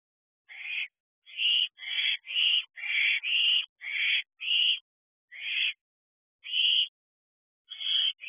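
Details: Owls preening each other at night inside an owl box at 3:05 am: a long series of rough, breathy screeches, about one per second at first, becoming more widely spaced.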